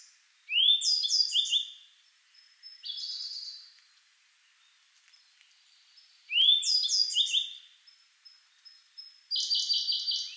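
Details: Alternating songs at Kagami Pond, Togakushi: a sub-adult grey bunting's sharp rising whistle and chirped flourish, answered each time by a Siberian blue robin's fast, buzzy, evenly repeated trill, twice over.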